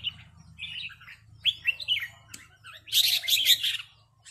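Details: Rik calls of red-whiskered bulbuls in a heated back-and-forth with a resident bird: bright, slurred chirps, then a loud, harsh, dense burst of overlapping notes before fading.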